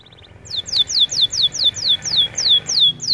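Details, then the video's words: Canary song used for training, a clear run of steeply falling high whistles repeated about every quarter second after a brief quieter start. "Melodies Canary bird song | Training video"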